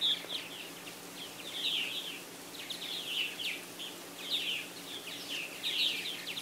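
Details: Busy purple martin colony at aluminium houses and gourds, South Florida, 24 April 2012: overlapping throaty chirps and gurgling warbles, several birds calling at once in bursts every second or two, over a faint low hum.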